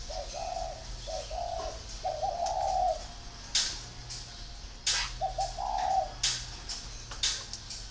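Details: Spotted dove gives mellow, low cooing phrases of a few notes, with the last note longer and slightly rising, then a pause with sharp knocks before another phrase.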